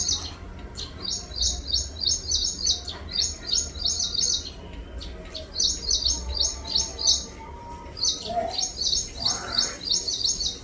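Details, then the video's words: A bird chirps in quick bursts of rapid, bright, high notes, each burst of five or six notes followed by a short pause, over steady low background rumble. "Birds chirping"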